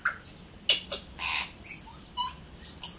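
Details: Tui, a native New Zealand bird, singing: a varied jumble of short bell-like notes, harsh broad rasps and clicks, and thin high whistles, delivered in irregular bursts over three seconds.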